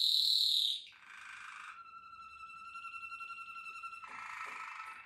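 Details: A Malinois Waterslager canary opens with a loud high whistle, then holds a long pure, flute-like double tone for over two seconds before breaking into a rapid bubbling roll.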